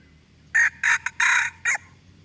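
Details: Aceh red junglefowl lure call for attracting wild birds: a short, clipped crow in four loud broken segments, the third longest, ending abruptly over a quiet background.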